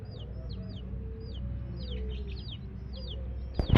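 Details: Coloured baby chicks peep faintly, high falling notes scattered over a strong low rumble, ending with a sharp knock.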